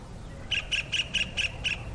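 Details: A kingfisher calling to its mate gives a fast series of sharp, harsh notes, about four or five a second and evenly spaced, over a low background rumble.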